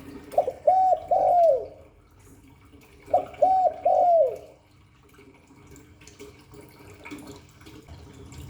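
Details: Two phrases of spotted dove cooing in the 'Hạp Bổi' style, each three mellow arched hoots, the last one stretched and falling, about three seconds apart, followed by several seconds of low background noise.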